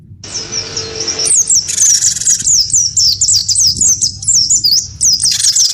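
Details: Caged wingko cinereous tit singing hard, provoked to fight in song with a white-eye. A long harsh buzz opens, then a fast run of high, sharp, swooping whistles with short buzzy blocks between.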